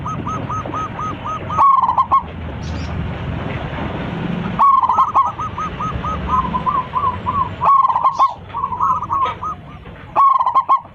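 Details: Local zebra dove with a big voice, calling its flock while singing on a perch. It gives repeated rapid trilled coo phrases, each several evenly spaced notes, alongside a steady series of softer rolling coos from other doves.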